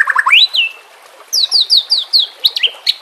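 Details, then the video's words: White-rumped shama (murai batu) training song over nature sounds and trickling water: a quick stepped run of whistled notes climbing to a high slurred whistle, a pause, then a series of sharp descending high whistles. "Terapi Murai Malas Bunyi Dengan Pancingan Mewah Isian Terbaik"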